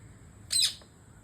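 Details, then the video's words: Indian parrot chirping while eating papaya: one short, harsh, high-pitched screech that rises and then falls, against a quiet background. "Indian Parrot chirping and eating papaya"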